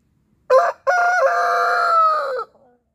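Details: Crowing of a domestic rooster, a Mechelse Koekoek or Blue de Landes, with a short sharp opening syllable, a pause, then a long loud held crow that wavers slightly and falls away at the end, in quiet surroundings.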